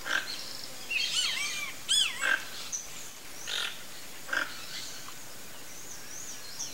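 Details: Toco toucan flock calling: short, harsh, broadband croaking bursts repeated irregularly, mixed with thin arching whistles from other birds in the background.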